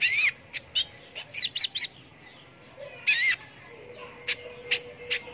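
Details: Kolibri ninja, a sunbird, in lively song used to train contest birds: short bursts of sharp, high twittering and rising squeaky notes separated by pauses, with a faint even background tone in the second half.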